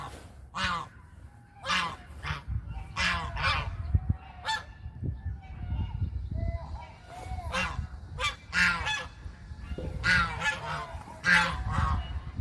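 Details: Domestic country goose calling: loud, nasal, harsh honks with rich harmonics, given singly or in quick pairs and bursts roughly every one to two seconds, some overlapping as from more than one bird, over a steady low rumbling background.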